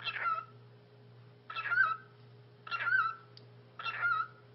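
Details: A 9-year-old male cockatiel says "hello" (你好), a short, scratchy two-part call about every 1.2 seconds, four times, mixing raspy noise with a mid-pitched whistled tone, over a steady low hum.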